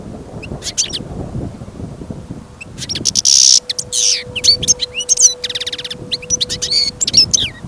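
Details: Caged European goldfinch kept for listening, singing outside in snowy, windy weather: lively tumbling twitter of sharp chirps, buzzy trills and rising-falling whistles running almost continuously, with low wind rumble.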